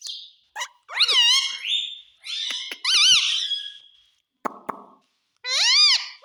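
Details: Pet parrot talking, mimicking the words "mummy" and "papa": bursts of nasal, wavering, harmonic voice with rising and falling inflections, separated by short silences and a few sharp clicks.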